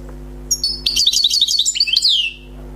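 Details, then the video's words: Wild European goldfinch, newly trapped, sings one tinkling, buzzy phrase of quick high notes that closes with a long downward-sliding note, over a faint low hum. "غناء حسون بري صيد جديد"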